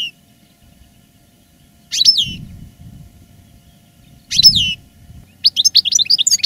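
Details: Caged veteran European goldfinch, strong after the moult, giving two sharp downslurred whistled notes a couple of seconds apart, then a quick twittering run of high chirps.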